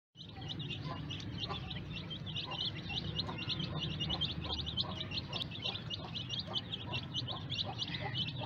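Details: Newly hatched baby chicks peeping in a dense chorus, many shrill high peeps overlapping and repeating rapidly throughout, over a steady low hum.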